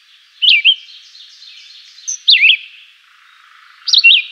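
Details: Chivi vireo (juruviara) singing a simple, melodious song: short looping whistled phrases, each a quick up-down slur, repeated about every one and a half seconds with a soft reverberant tail.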